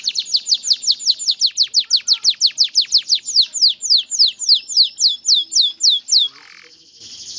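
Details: Male canary song urging a female to mate and build a nest: a long even series of sharply falling whistled notes, about four per second, slowing toward the end before a brief buzz.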